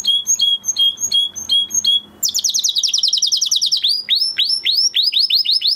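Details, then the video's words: Canary singing after moulting: opens with a steady row of short clear whistled notes, then bursts into a rapid buzzy trill and finishes with repeated downward-sweeping notes at a brisk pace. "Canary Trying To Unlock His Full Singing Potential Part 2 - Canary Singing Video"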